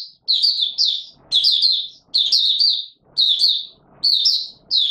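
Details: On a warm humid day, 20 March 2022, a white-eye delivers buka sing: high, slurred twittering phrases, each under a second, repeated steadily with brief pauses.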